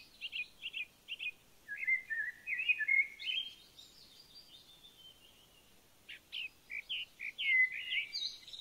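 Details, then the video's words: Eurasian siskin (Spinus/Carduelis spinus) giving quick high twittering notes broken by buzzy, wheezy downward slurs, then another run of chirps. "Euroasian Siskin"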